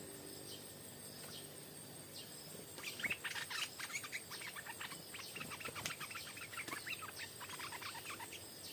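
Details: Stripe-throated bulbul singing at about four in the afternoon during a session with a decoy bird. Its bright, bubbly chirps come in a dense chattering burst after a quiet start, over steady insect hum and the outdoor background.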